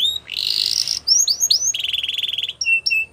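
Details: Canary song meant to get other canaries singing along: a high whistle, a buzzy rasp, then upswept slurred notes and a fast even trill, ending with separate clear whistles.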